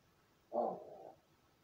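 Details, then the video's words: Pet crow kept in its own room, practising calls after playing alone: one short hoarse, harsh call lasting about half a second in a quiet indoor space. "一人遊びの後 鳴き声と喋る練習"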